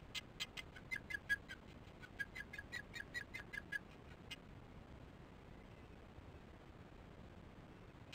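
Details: Osprey sounding alarm at its nest as chicks are fed, evening of 22 July 2015, filmed by nest camera before the adult flies off: around fifteen loud, piercing chirps in an uneven rapid series for four seconds, then near silence.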